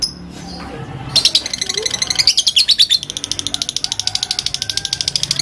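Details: Fighter lovebird calling out rivals with a long ngekek chatter: after a quiet second, a rapid, dry, high-pitched stream of clicking pulses starts and runs to the end, easing into evenly spaced ticking notes.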